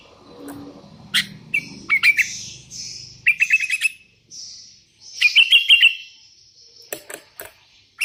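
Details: Sooty-headed bulbuls, a caller summoning rivals and wild birds replying: groups of rapid stuttering whistled notes in short trills, interspersed with hissy chirps and clicks, over a low murmur at the start.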